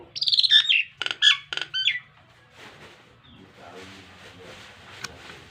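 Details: Nias hill myna giving a few loud, high, buzzy whistled phrases in quick bursts during the first two seconds, followed by quiet faint background sound; a model song for training pet mynas.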